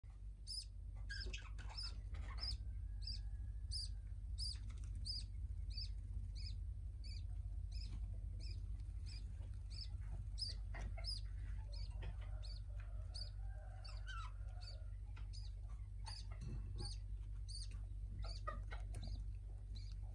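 Budgerigars chattering with quick, high chirps and soft warbles over a steady low hum.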